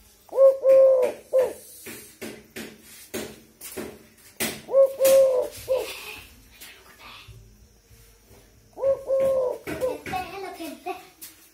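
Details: Three-part cooing from a tame Eurasian collared dove, repeated three times roughly every four seconds, over frequent knocks, clatter and a voice in the background.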